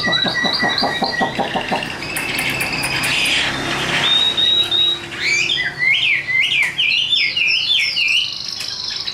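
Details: Caged Chinese hwamei, recently brought in, singing varied phrases: a rapid stuttering run of clipped notes, a sustained whistle, then rich rolling warbled notes with rising and falling loops.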